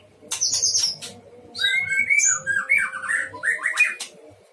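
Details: A caged white-rumped shama at a breeding pen in full song, opening with high thin trills before a flowing series of clear, liquid whistled notes that rise and fall, faint hum underneath.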